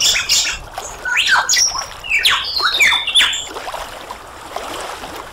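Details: Superb lyrebird singing a varied run of sharp sweeping notes, some climbing and some dropping steeply, mixed with quick whip-like slides and brief squawky bursts over a steady background hiss.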